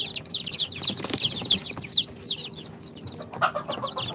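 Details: Chicks hatched from an incubator, two days old, of Sultan, Golden Sebright, Cochin and booted breeds, give loud overlapping high peeps, sharp falling chirps packed closely together, easing slightly toward the end; low hum behind.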